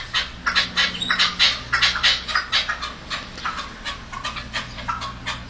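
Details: Young red-legged partridges singing in 2014: harsh, scratchy chuffing notes in quick uneven bursts, several a second, over a faint low hum.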